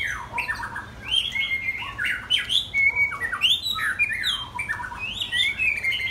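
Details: Two young white-rumped shamas, 10 and 12 months old, sing a rich, varied stream of clear whistles, slurred rising and falling phrases and chattering notes, often overlapping; the sound is close and roomy.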